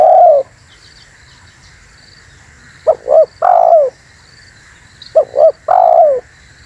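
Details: Spotted dove, on a recording for attracting wild birds: a falling coo, then a pause, then twice a quick double hoot followed by a long, gently descending coo, over a faint steady hiss.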